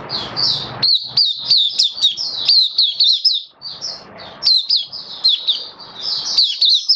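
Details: Oriental white-eye of the Kitaro sort, caged, delivering its opening song on test day seven: quick repeated high chirped notes, about four each second, in lively chattering runs with a short dip midway.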